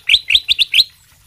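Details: Kutilang emas sutra masteran song, used to train other birds: five quick, bright, rising chirped notes in just under a second, loud and clean, then quiet.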